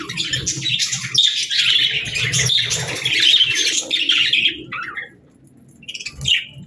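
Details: Pet parrot starting its day in the morning, giving bursts of harsh, raspy chirps and squawks for about five seconds, then a short gap and two brief sharper calls over a faint low household hum.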